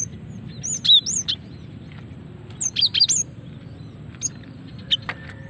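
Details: Female cinereous tit calling as a lure to trigger singing: two short bursts of high looping, slurred whistles and chirps, then scattered single ticks after a quiet gap, over low background hum.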